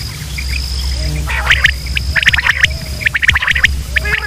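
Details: Quail calls from Pakistan, male and female sounds used to lure birds for hunting: sharp chirps near the same pitch, clustered and overlapping after the first second, over a steady low hum and a thin high whine.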